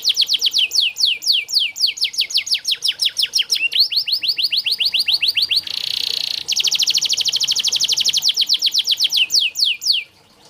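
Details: Canary song used as a training track for canaries reluctant to sing. Fast, rhythmic descending notes run for several seconds, broken by a brief buzzy rattle, then another long even roll fades out.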